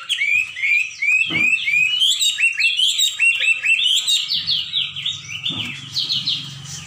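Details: Hwamei in full, lively song: a continuous stream of rich, varied whistled phrases with quick slurred notes, trills and rising and falling sweeps, barely pausing, over a faint low hum in the later seconds.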